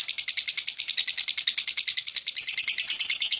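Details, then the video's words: Lovebird in a continuous ngekek run: a steady, rapid stream of shrill, rasping chirps, roughly three to four per second, evenly paced throughout. "LOVE BIRD NGEKEK PANJANG 2 MENIT LEBIH"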